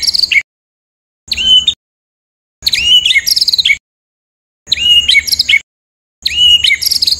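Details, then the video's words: White-rumped shama song in rough 'tembakan' style, meant for training competition birds: five short, dense bursts of shrill whistles and chatter separated by silent gaps of about a second. "MASTERAN MURAI BATU FULL ISIAN TEMBAKAN KASAR"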